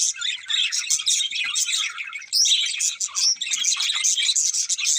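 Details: Pet budgerigars, a pair, chirping in fast bursts of grating, twittering warble and shrill squeaks, pausing briefly just before the midpoint before resuming.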